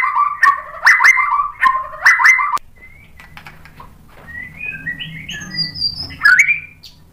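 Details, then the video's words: White-rumped shama song for provoking another bird to sing: loud repeated double-toned phrases with sharp clicks for about two and a half seconds, then faint distant whistles over low background noise, and a closing upward slur. "KICAUAN MURAI BATU merangsang EMOSI jadi NYAUT GACOR NGEPLONG BONGKAR MATERI | PANCINGAN MURAI"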